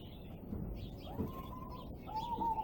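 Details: Peaceful doves in a garden aviary shared with Gouldian finches, harlequin quails and other birds; two drawn-out, even, whistled cooing notes over a steady low background hum.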